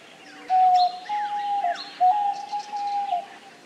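A diamond dove gives two drawn-out, soft, even coos, each about a second and a half, with a slight dip near the end; faint chirps of other small birds behind.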